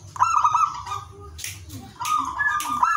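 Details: Zebra dove singing ngowar, intended to lift breeding desire in other doves: short stuttering coo bursts at the start and end, separated by softer tones, with low hum throughout.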